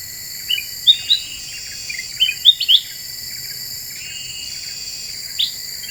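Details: Black-winged bulbul singing an energetic lure song claimed to provoke other birds: clusters of two or three sharp rising whistles with softer chatter between, set against a steady high-pitched background drone.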